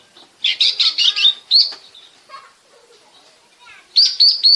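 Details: Oriental magpie-robin lure song from Bekasi, meant to prompt other birds into singing. A burst of rapid, sharp chirps is followed by a short whistled note, a quieter mix of softer twitters, then another quick chirping series.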